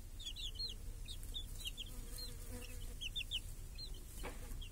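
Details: Village chickens with chicks grazing beneath a protective cage on a clear summer day: clusters of shrill, quick chick peeps, several low hen clucks underneath, and a buzzing fly nearby.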